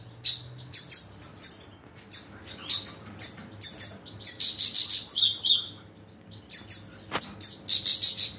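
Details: European goldfinch giving bright, tinkling twittered calls in quick bursts, each note sharply rising and falling, with short pauses between groups and a steady low hum underneath.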